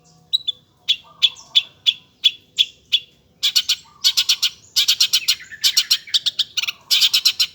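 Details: Long-tailed shrike in active song: a steady series of clear high pips about three per second, then quickening into a dense, rattling chatter of sharp repeated notes.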